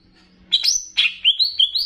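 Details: Banyuwangi-type greater green leafbird singing in a training recording that blends in bebeci-style phrases to fire up other leafbirds. Two sharp, bright whistled bursts give way to four quick upslurred notes, over a faint low hum.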